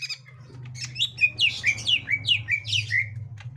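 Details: Green leafbird of the gotri type meeting a young wild green leafbird: a run of harsh, squawky, downward-slurred chirps at about two per second over a low droning hum.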